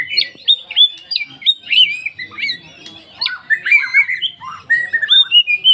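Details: Oriental magpie-robin of the poci type, song used as a lure to get other magpie-robins singing: rapid varied whistled phrases, sharp chirps and rising-falling slurred notes in quick bursts, with brief pauses between phrases.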